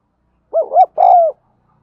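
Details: Spotted dove lure call, used to train birds: two quick arched coos followed by a drawn-out, slightly falling coo, loud and clean with a silent background.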